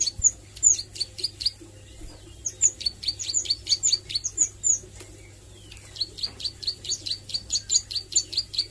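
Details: Bar-winged Prinia (ciblek sawah), a young bird learning its nglagu and nembak singing: rapid bursts of high, sharp downward chips, about two per second, broken by a brief pause midway, over a faint low hum.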